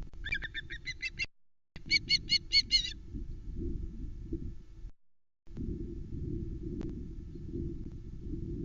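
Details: A female osprey at the Loch Arkaig nest on 1 September 2020, after the male drops off a live flatfish, gives two short bursts of rapid high piping chips. Then only low rumbling camera noise continues.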